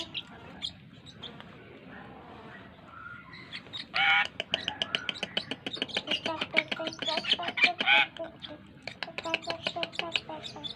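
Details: Tame Asian pied starling singing persistently, used as a lure to make other birds sing: quiet scattered notes at first, then from about four seconds a dense, fast run of harsh chattering clicks and squeaky notes.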